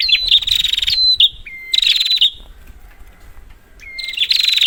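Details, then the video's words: Prinia, used to coax prinias that have gone quiet. Short bursts of piercing buzzy trills alternate with clear flat whistles. Longer silences with faint background noise fall between bursts. "Prenjak, Pancingan ampuh untuk burung prenjak macet"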